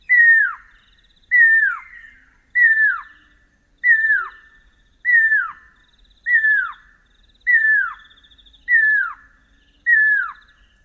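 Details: A pair of pearl-spotted owlets (Glaucidium perlatum) duetting at night in the bush, Northern Tuli Game Reserve, Botswana, the female giving the more distant, higher phrases: loud, falling whistled 'peeu' notes, nine about every 1.25 seconds.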